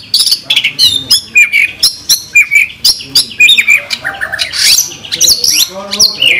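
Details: Caged White-rumped shama singing on a tutor track rich in 'tembakan' fills: a lively mix of sharp high chips, short whistled notes and harsh squeaky phrases, delivered in quick bursts with brief gaps.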